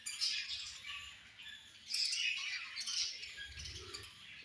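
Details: Budgies at food time give busy, overlapping chirps and squeaky twitters in quick irregular bursts, louder at the start and around the middle. A soft low thump comes near the end.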